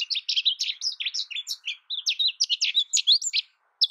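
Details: Dense, lively American goldfinch twittering with rapid high chirps running together for three and a half seconds before a brief pause and a final note.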